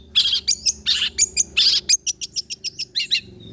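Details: Long-tailed shrike song used as a lure to make other shrikes respond: loud rasping bursts mixed with quick high chipping notes in an uneven stuttering rhythm, with steady low background noise.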